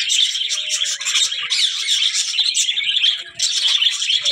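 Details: Budgerigars keep up a loud, high-pitched twittering with squeaky, warbled notes, pausing briefly once before the chatter resumes.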